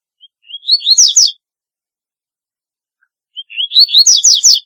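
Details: Double-collared seedeater singing twice, roughly three seconds apart: soft rising whistled notes lead into a short run of loud, buzzy, down-slurred syllables. The setting is otherwise silent.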